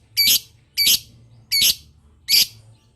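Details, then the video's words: Lovebird chattering in the 'ngetik' style to make other lovebirds respond; four harsh, buzzy, high chirps spaced roughly two-thirds of a second apart against a faint low hum. "Suara burung Lovebird Ngetik Panjang Bikin Lovebird Dimana Saja Auto Nyaut"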